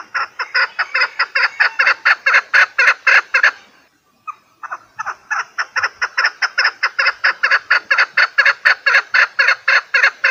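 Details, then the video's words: Chukar partridge giving a fast, rhythmic chuk-chuk series of loud, throaty notes. A short silent break interrupts it mid-clip, then it resumes at the same quick pace. Recording intended for partridge hunting. "Овози кабк кеклик калик пение каклик мастак модкабк шикор"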